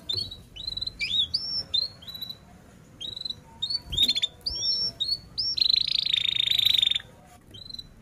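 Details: Energetic canary singing, used to prompt young canaries learning to sing: a string of quick high chirps and slurred whistles, then a steady buzzy trill lasting over a second before the song fades.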